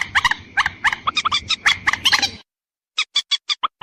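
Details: Watercock calls played as a lure for females and males: fast sequence of sharp nasal notes, then an abrupt silence, followed by about six cleaner, evenly spaced clipped notes.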